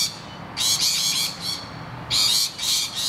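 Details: Distressed rainbow lorikeets defending their nest hollow from attacking noisy miners; harsh, grating screeches in two bursts of several rapid calls, separated by a short pause.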